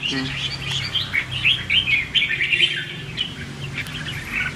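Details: Red-whiskered bulbul giving competitive 'hót ché' song, used as a lure for trapping and training: jumbled quick chirps and warbles, loudest in the middle, fading to softer notes.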